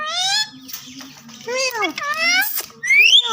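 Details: Green parrots imitate the phrase "Mian Mitho Chori Khao gy". High, nasal, speech-like syllables with stacked harmonics come in short bursts, ending in a rising whistled note over a steady low hum.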